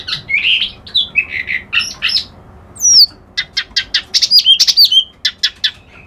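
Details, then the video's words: Reed warbler, locally kerak basi alis putih (white-browed), singing: harsh buzzy chattering phrases, then a sharp descending whistle and a quick run of scratchy clipped notes with high squeaky slurs. "Suara Burung Kerak Basi Alis Putih"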